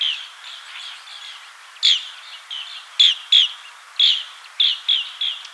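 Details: Green bee-eater with a low murmur of soft trilling notes broken by loud, clipped chirps, single and in pairs, scattered irregularly across the recording.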